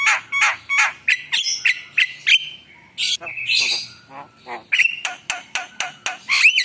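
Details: Chattering Javan myna song packed with varied phrases: rapid harsh squawks mixed with thin high whistles and buzzy notes, delivered almost nonstop with brief gaps.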